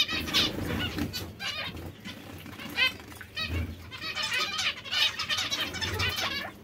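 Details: Zebra finch breeding pairs, many birds giving clustered nasal beeps and twittering phrases in irregular bursts, over faint low-pitched background noise.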